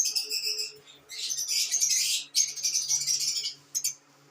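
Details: Pet lovebirds chattering in a dense, buzzy, high-pitched stream of rapid squeaks and rasping notes for about three and a half seconds, then a brief final chirp before falling quiet.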